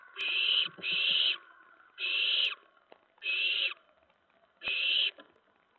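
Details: Owlets at night on 10 September 2017, around 2 AM, as prey is brought to the nest; two quick rasping hisses, then three more spaced about a second apart, with light clicks and rustles.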